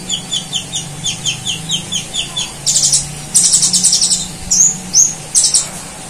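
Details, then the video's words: Konin, the kolibri ninja sunbird, singing vigorously with imitations of cililin and golden grasshopper: an even series of paired high ticking notes about twice a second, then dense, loud, buzzy trilled bursts and a few whistled slurs. "Masteran Konin Gacor Full Nembak Cililin Dan Belalang Emas"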